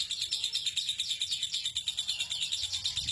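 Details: Ngekek trill of a lovebird, a long-running song style valued for competitions, lasting seven to fifteen minutes: rapid, evenly pulsed high chatter, about three pulses per second, unbroken throughout, with faint low background rumble.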